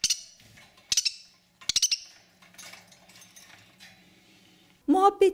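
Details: A budgerigar gives three harsh, scratchy squawks about a second apart, then a lower, nasal cry, with a voice talking; described as a sound budgies make when touched, in pain, or not wanting to be touched.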